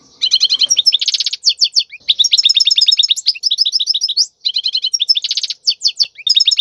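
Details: European goldfinch tutor song for chicks, wild bird: nearly unbroken fast twittering with buzzy trills, rattling runs and sharp chips, phrases following closely one after another.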